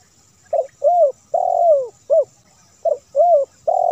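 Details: Spotted dove song, edited for clarity to lure wild and household doves, with a run of low coos: a short note, a swelling falling coo, a longer slurred coo, then another phrase beginning.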